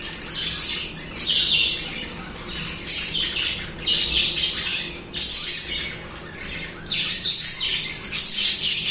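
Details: Continuous budgerigar singing: bursts of high scratchy warbles and chirps coming in waves about every second or two, many birds calling at once.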